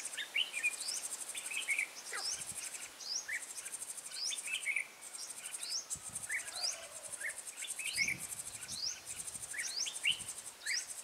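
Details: Lure red-whiskered bulbul at a bird trap, recorded 14 March 2017, calling with frequent sharp whistled notes and short slurred phrases repeated every second or so, set against a steady, rapid cricket trill.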